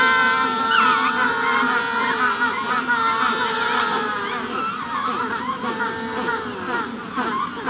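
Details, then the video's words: Magellanic penguin adults at the hatching stage calling close at Punta Tombo, wider colony in the distance; long harmonic braying wails with wavering, sliding pitch, several birds overlapping, chorus gradually thinning toward the end. "Magellanic Penguin / Calls CU From Adults At Hatching Stage, General Colony In Distance. Punta Tomb"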